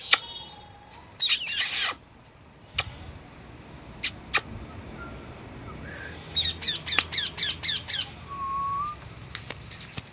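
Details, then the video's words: Parrot producing a few harsh squawk bursts and single clicks, then a regular run of about seven sharp squawks and a short whistle. "Natural Parrot sounds"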